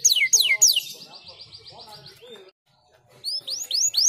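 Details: Canary master song in a unique cengkok style for young canaries: three falling whistles, a rolling run of repeated notes with faint low sounds beneath, a pause, then rising high slurs.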